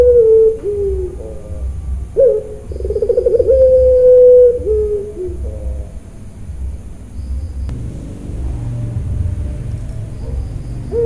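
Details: A captive Barbary dove (puter pelung) at a bird farm in Kroya, Cilacap, Central Java gives long, drawn-out, mournful coos, a steady low tone that swells and sags, over a faint background rumble.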